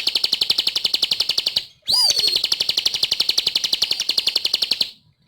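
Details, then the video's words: Energetic song of a bar-winged prinia: rapid high buzzing pulses repeated evenly, a short gap, then a curving whistled sweep before the dense trill continues to the end. "Suara Burung | Ciblek Gacor"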